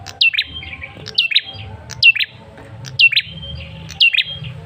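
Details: Lure call of a male Ashy Tailorbird, meant to provoke other birds into answering. Five bright, falling whistled notes come about once a second, each ending in a quick lower flick and a faint trailing tone.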